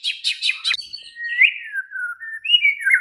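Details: White-rumped shama night lure song meant to make another bird reply and sing loudly: three quick sharp chips, then long smooth whistled notes that slide up and down.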